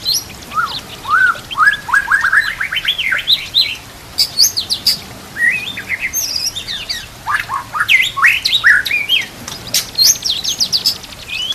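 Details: White-rumped shama training song with kapas tembak and canary phrases: rising stepped series of quick notes, then dense bursts of very high sharp chips and trills in an energetic, continuous flow.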